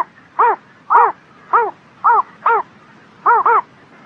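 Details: On a spring morning, a bird repeats clipped, arched notes roughly every half second, with a close double note near the end and a soft low murmur underneath.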